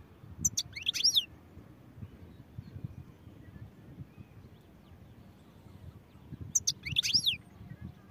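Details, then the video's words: European goldfinch singing: two short bursts of bright, high twittering notes with quick rising and falling slurs, one near the start and one near the end, quiet low rumble between. "goldfinch songs | goldfinch singing"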